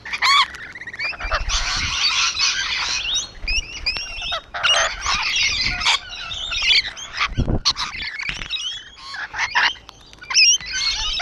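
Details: Rainbow lorikeets perched on a wall keep up a dense, harsh chatter of shrill screeches and rasping squawks, many birds calling over one another almost without pause.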